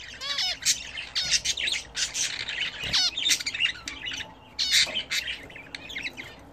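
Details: Pet budgerigars raised indoors, chattering as they bathe: quick runs of buzzy squawks and rising-falling chirps, several overlapping, in bursts separated by brief pauses.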